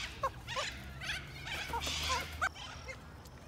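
Cockatoos give harsh, raspy squawks and short chattering notes, several bursts every second or so, with a faint background hum.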